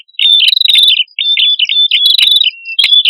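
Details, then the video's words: Red-headed prinia pair, male and female, singing energetically for a bird lure: a run of high, chirpy warbled notes and level whistles, broken by a short gap near one second. "Suara Prenjak Kepala Merah Jantan Dan Prenjak Kepala Merah Betina Gacor"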